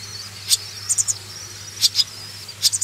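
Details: Begging from swallow nestlings being raised: sparse bursts of thin, hissy high chirps, single or in triplets, separated by short pauses, with a constant low electrical-sounding hum beneath.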